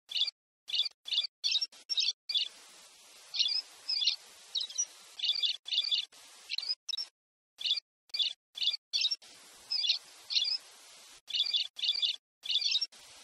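A Pileated Parrot gives shrill, high chirps, often doubled, about two each second, broken by abrupt silent gaps.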